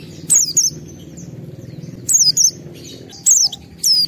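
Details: A highly agitated, competitive oriental white-eye, used to provoke and test other white-eyes, gives very high, thin, sharp twittering bursts, often in quick pairs, a second or more apart, over a low steady rumbling hum.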